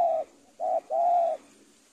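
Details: Spotted dove, 'super penguku' training audio for young birds: the tail of one coo, then a short note and a long even hollow coo, loud and clean against a quiet background.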